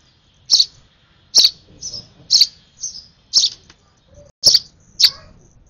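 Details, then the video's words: Hand-fed young sparrow, overexcited during feeding, calling with bright piercing chirps at an uneven pace, alternating loud notes with weaker ones, soft handling noise underneath. "Last feed of a UNLUCKY, Over Excited Sparrow Baby..."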